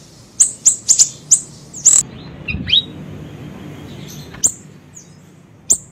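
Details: Small siri-siri bird, recorded as a trapping lure: a few quick, very high chips, then a lower slurred whistle and scattered faint high notes before a final chip.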